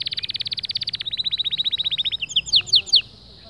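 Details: White male canary in motivational song for other birds: a rapid rolling trill that drops slightly in pitch after one second, continuing steadily, then ending with a few sharp, bright downward-sweeping notes.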